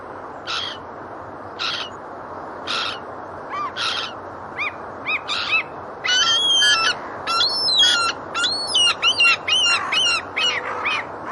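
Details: Gulls, together with geese, call in harsh bursts about once a second, then break into a dense chorus of overlapping, nasal, laughing yelps.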